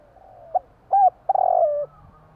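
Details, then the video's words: Spotted dove, Javan type, calling at night: soft short coos, then a longer rolling trill-like coo that glides down, over a quiet low hum. "burung tekukur bunyi malam hari/burung tekukur jawa"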